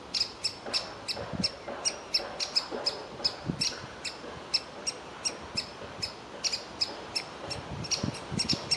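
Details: Young woodpecker inside a tree hollow wanting feeding, while the parents want it to fledge; dense, insistent series of short shrill notes, sometimes doubled, with soft background rustle.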